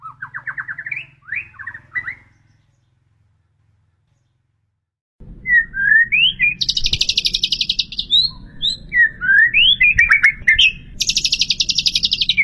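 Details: Shama filler song: a short series of rising chirps, a silence, then sharp upslurred whistles mixed with loud high buzzy trill bursts over a rumbling background noise.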